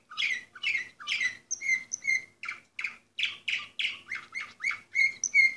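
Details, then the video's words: Orpheus-breed canary delivering a continuous varied song: rapid chirps, clear whistled notes and buzzy syllables repeated about three times a second without pause. "canary orpheus 2014 number 24"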